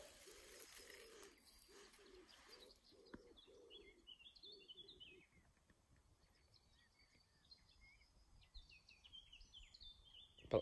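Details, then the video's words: At Kiplingcotes Nature Reserve, Yorkshire, on a bright sunny June day, a Woodpigeon gives a soft, husky cooing phrase of rhythmic low notes for about four seconds, followed by thin, high songbird phrases and light wind. "Birds heard on the soundtrack: Yellowhammer, Willow Warbler, Blackcap & Woodpigeon."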